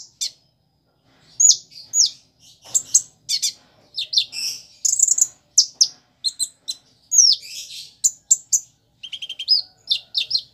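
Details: Kolibri ninja (ruby-cheeked sunbird), a kept bird singing actively, its song filled with imitations of bar-winged prinia, sparrow and chick calls: rapid very high thin chirps, trills and short twittering phrases in quick, irregular bursts, with brief pauses.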